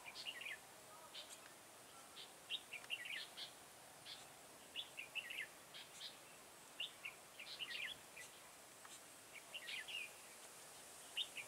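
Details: Red-whiskered bulbul, a decoy bird at a trapping site in a garden, October 2017: short lively warbled phrases repeated roughly every second or two over a low steady background hiss.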